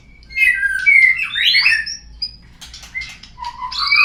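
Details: Lure song of a white-rumped shama for stimulating birds to sing: sweet descending and rising whistles run together, then softer clicks and a final upslurred note.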